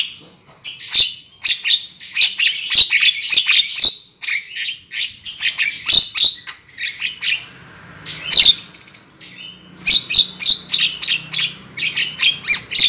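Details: Black-winged myna lure call for trapping: loud harsh chattering phrases of rapid scratchy notes and squeaks, broken by short pauses, with a faint low hum beneath.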